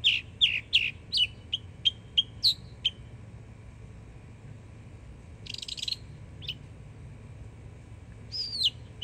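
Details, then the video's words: Yearling Northern mockingbird singing in Florida: a quick burst of sharp repeated notes, then a silent gap broken by a buzzy rasp and another sharp phrase at the end. "Yearling Florida Mockingbird Goes Hard 🎶💯 Beautiful Songs"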